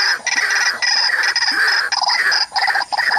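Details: A white-breasted waterhen disturbing a bird at a mirror trap utters loud, rasping, nasal call notes in quick groups separated by short pauses, harsh and strongly harmonic.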